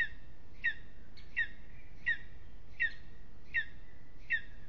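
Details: On a restless evening at an aspen nest in Aizkuja, Latvia, a lesser spotted eagle utters seven clipped, high yelps at steady intervals of about 0.7 seconds. A thin drawn-out tone lingers faintly between them.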